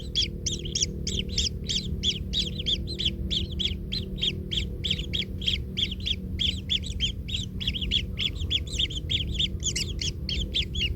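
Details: Nestling kingfisher, stepped on by its parent and hurting, calls nonstop in a fast stream of scratchy, squeaky notes, some running together, with a constant low hum underneath.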